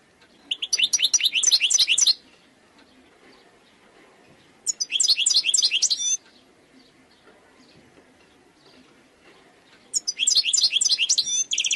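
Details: Wild European goldfinch song in three bursts of about one and a half seconds each, dense tinkling twitters and trills separated by pauses of a few seconds, over faint background hiss.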